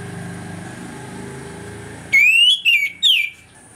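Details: Orange-headed thrush, morning 'ngeplong' singing meant as a lure to rouse aggression: after low background hum, one loud phrase of three clear whistled notes, the first rising steadily, the last falling.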